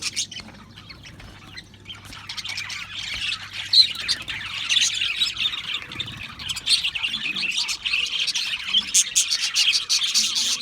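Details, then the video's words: Quieter scattered chirps from Australian parrots at first, swelling into a busy chorus of harsh squawks and quick high twitters that continues to the end. "Beautiful Australian Parrots Chirping sounds beautiful Parrots Sounds"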